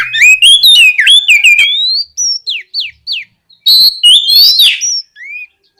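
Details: Loud, fluent oriental magpie-robin song meant to provoke untrained magpie-robins into replying: a quick burst of looping whistled notes, a sustained rising whistle, several steep downslurred pips, then a harsh buzzy phrase and a final soft slur.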